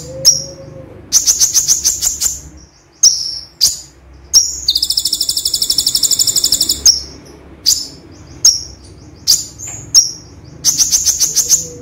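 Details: A gray-chinned sunbird sings very high, sharp chips and rapid ringing trills in short bursts, with one long buzzy rattle, mixing in copied phrases of cililin, sparrow and cucak jenggot.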